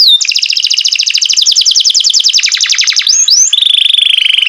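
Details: Green canary kept in care, singing loudly: a fast run of repeated descending chirps for about three seconds, then sweeping notes and a sustained buzzy trill near the end, clear and close with no other sounds.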